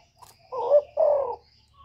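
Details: Lure call of a spotted dove from Cà Mau, Vietnam, used to excite doves for trapping: one soft two-note coo, the first note rising, the second longer and level, over a faint high whine.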